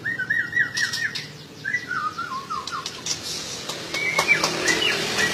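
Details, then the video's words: White-rumped shama song: clear whistled phrases in slurred, descending series, repeated several times, then higher thin whistles and scattered clicks against light background noise. "burung MURAI BATU"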